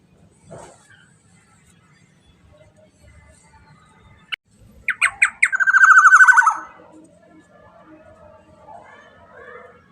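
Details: Black-naped oriole: a few sharp, spaced notes open the phrase, then a loud rapid harsh chatter that slurs gently downward, lasting about two seconds, with faint soft sounds before and after and otherwise a quiet background.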